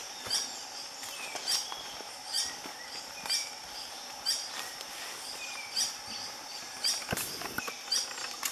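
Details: Green hermit at Hotel Tinamú, Vereda San Peregrino, Manizales (Caldas), recorded in 2014, giving sharp, high squeaky notes about once a second over a steady insect drone in the forest.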